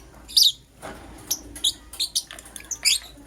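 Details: Lovebirds, a green personata and a yellow pastel pied, chirping in the morning: sharp, high, scratchy chirps in short bursts, one loud at the start, then a string of quicker squeaky notes spaced irregularly.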